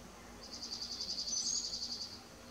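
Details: Bald eagle giving a quick series of high, thin, piping notes, about a dozen in under two seconds, slightly stuttering and fading at the end.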